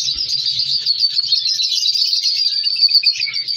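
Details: Many African color lovebirds in a captive breeding colony chatter together: an unbroken wash of shrill, rapid twitters and chirps, with faint low humming underneath.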